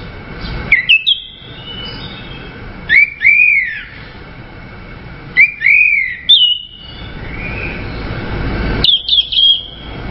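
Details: Orange-headed thrush song of arched, clear whistled phrases, each rising then falling, given in short bursts roughly every two to three seconds with quiet gaps between.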